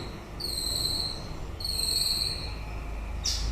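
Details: End-of-breeding-season song of a white-rumped shama: two long, pure, steady high whistles about a second apart, followed by a brief sharp high note, over a soft low background hum.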